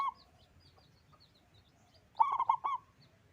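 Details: Big-voiced local zebra dove singing one clear phrase of four rapid, throaty cooing notes after a quiet stretch, tail of an earlier phrase at the start, soft high twitters from other birds around.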